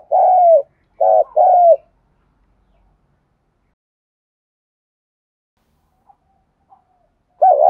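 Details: Spotted dove, Đồng Nai, Vietnam, on a lure track for rousing decoy birds. Three hoarse falling coos come in quick succession, then a long silence before another coo begins at the end.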